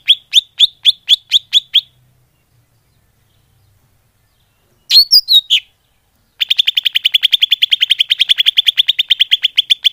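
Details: Greater green leafbird lure call, the Indonesian cucak hijau pikat: a quick run of seven sharp chirps, a pause, a short cluster of harsher notes, then a long fast rattle of high chirps at a steady pace.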